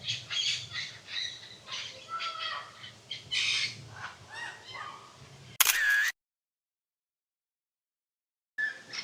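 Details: A Blue-and-yellow Macaw at a macaw rescue sanctuary and bird park in Copan Ruinas, Honduras, gives a loud, harsh half-second squawk, a brief silence, then another raspy squawk; a person talks over other bird noise beforehand.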